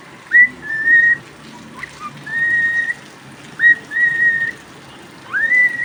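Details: Pet cockatiel singing during rain: clear whistled notes, each a short upward sweep leading into a long level whistle, in three phrases with pauses between them, over a steady hiss of rain.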